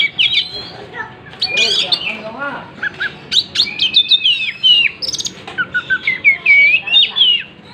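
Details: Spreading its tail, an Oriental magpie-robin pours out dense, lively song of warbled whistles, quick trills and sharp clicks, with phrases tumbling rapidly one after another.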